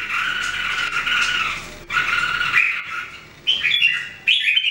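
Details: Three Red-whiskered Bulbuls, kept birds in singing training, sing together; sustained harsh, buzzy phrases with bright overtones run almost continuously, then shorter higher chirpy notes near the end, over a faint low hum.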